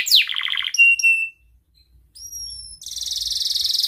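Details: Canary in breeding condition singing to call a rival, used as a lure so young canaries learn to sing: a falling sweep into a rapid trill, pure whistled notes, then a fast buzzy high rattle.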